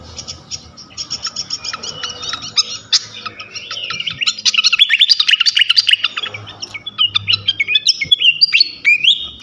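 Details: Flycatcher song used as a lure to provoke other flycatchers into singing: a dense, hurried jumble of high chirps, short trills and sharp slurred notes that grows busier and louder midway, then ends in quick rising whistles.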